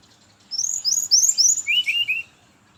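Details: Brown-chested jungle flycatcher singing in the morning, used as a lure for others of its kind: a quick run of high, clear, downslurred whistled notes followed by three lower rising-falling whistles, all within about two seconds.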